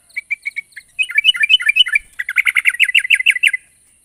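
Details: A sooty-headed bulbul, loud and chatty while calling a rival, gives a few spaced chirps, then speeds into a dense, bubbling trill of rapid notes before falling quiet.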